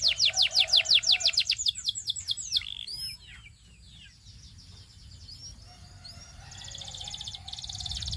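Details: Canary song for training: a fast series of about fifteen loud descending whistled notes, then scattered chirps and upswept notes, softer distant trilling, and a buzzy rapid trill building toward the end.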